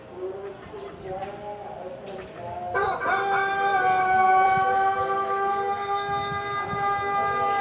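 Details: Pelung rooster, a male of the long-crowing local breed from Cianjur, West Java, crowing to prompt other roosters: after quieter clucks, a long, drawn-out, tuneful crow starts at about three seconds and holds steady for over four seconds.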